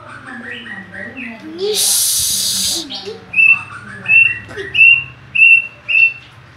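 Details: Oriental magpie-robin singing hard: a run of varied warbled notes, a brief hiss, then five clear whistled notes repeated roughly every half second, with muffled talk and a low hum beneath.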